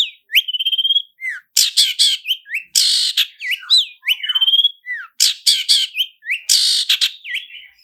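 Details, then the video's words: Long-tailed shrike in a clear lure recording of roll speed and roll tembak with full fill-ins: mixed harsh bursts, drawn-out whistles and quick downslurs, interspersed with fast rattling note series. "SUARA CENDET ROLL SPEED DAN ROLL TEMBAK, PANCINGAN CENDET FULL ISIAN JERNIH"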